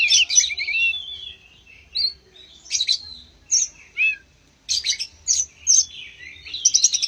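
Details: Oriental magpie-robin (kacer) singing to prompt other birds to sing: varied clear whistles, quick chattering bursts and sliding notes in short phrases separated by brief pauses.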